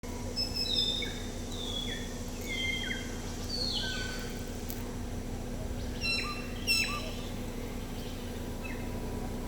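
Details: Birds chirping at Butler Bay beach, Hut Bay: several overlapping bright whistled chirps and short descending notes from more than one bird, scattered through the clip over a steady low hum and ambient background.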